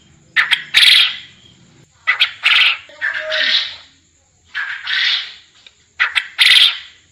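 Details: Master recording of quail calls for training quail to call lively (gacor) for contests: a series of coarse, scratchy bursts, some doubled, spaced about a second apart, with a thin steady hum behind.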